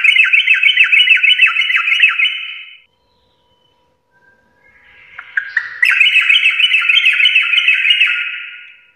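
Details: Trucuk, the Sooty-headed bulbul, in full "garuda" song: long bursts of quick, evenly repeated bouncing notes, a silent gap of about two seconds, then a rising lead-in into another rapid chattering run.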